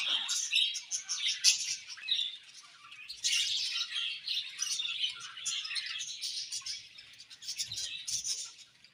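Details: Chirping budgerigars in long continuous chatter, high scratchy warbles and squeaks, loudest early and fading toward the end, with faint low background noise.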